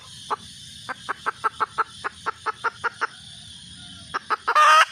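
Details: Hen red junglefowl calling for a mate: a steady run of about fifteen short clucks at a brisk pace, a pause, then a few more before a loud harsh burst.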